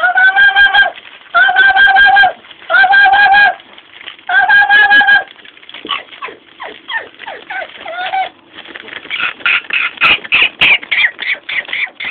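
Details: Female pet Amazon parrot mimicking sounds such as sirens, brakes, dogs and monsters: four loud, even, harmonic blasts of about a second each, then quick sweeping chatter and a run of rapid, harsh, bright bursts.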